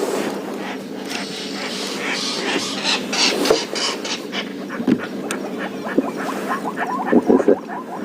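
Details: Red-billed oxpeckers call during a morning safari drive on 16 September in the Djuma and Arathusa reserves, Sabi Sands: harsh, hissing, rasping bursts with short sharp notes near the end, over a steady vehicle engine hum.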